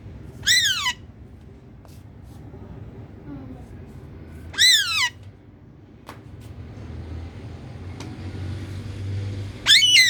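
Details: Pet ring-necked parakeet kept with another new parrot, giving three loud harsh descending screeches spaced about four to five seconds apart over a low steady hum and faint background noise.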